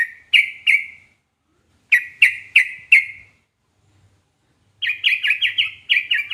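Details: Yellow-vented bulbul (trucukan) song, said to make any trucukan reply: spaced single bright whistled chirps in twos and fours, then a quick run of rising chirping notes.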